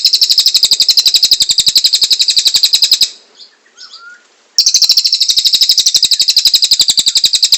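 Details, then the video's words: Cililin in constant song, a master recording for training murai and kacer: two long runs of rapid, high, buzzy notes separated by a pause of about one and a half seconds with faint soft notes. "Cililin Gacor Cocok Untuk Masteran Murai,cak ijo,kacer, & Burung Yang Lain Nya"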